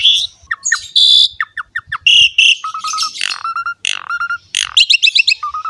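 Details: Asian pied starling in full 'gacor' song for training young birds: harsh buzzes mixed with short clear whistles, flat steady whistled tones repeated several times, and quick bursts of chattering upswept notes.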